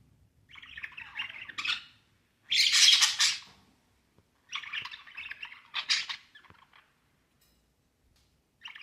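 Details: Three budgerigars chattering in bursts of scratchy, warbling chirps with a few harsher squawks.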